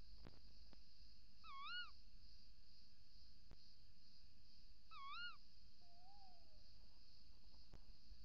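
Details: Before dawn on 28 December 2018, a female tawny owl at the nest hole gives two sharp, wavering calls about three seconds apart, followed by a lower, fainter drawn-out note as the male calls outside; clicks and hum behind.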